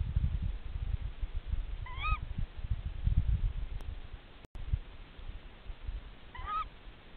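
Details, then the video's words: Tawny owl partners calling at the nest while it is being checked: two brief, harsh, rising-falling calls about four seconds apart, with a brief dropout in the sound between them and constant low rumble beneath. "Głos puszczyka."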